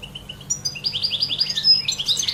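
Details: In nature, a European goldfinch opens with a few thin, even, high whistles, then breaks into a quick, rolling run of tinkling twitters and chirps.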